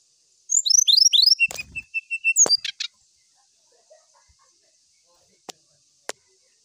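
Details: Brown-chested jungle flycatcher song sung to find a rival: high descending whistled slurs, then level piping notes and a few buzzy trills. Isolated sharp clicks follow in the quiet afterwards.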